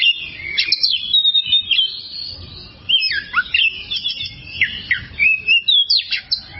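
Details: Song of an oriental magpie-robin, used as a tutor recording for birds that sing poorly. The bird delivers varied whistles, quick up-and-down slurs and rapid clipped notes in bursts, with a low room hum behind.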